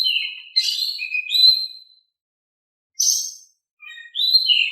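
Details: Oriental magpie-robin song in a calm style for provoking other birds to reply: warbled whistles and a drawn-out descending note, a brief gap, a high buzzy burst, then clear sliding whistles.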